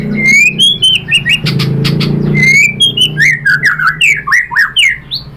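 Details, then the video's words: Song of a white-rumped shama meant to make other shamas respond: clear rising whistles followed by quick, rolling, slurred notes repeated in close succession, with a steady low hum underneath. "SUARA MURAI BATU bikin BUNYI jadi NYAUT GACOR BONGKAR MATERI ISIAN ¦ SHAMA BIRD"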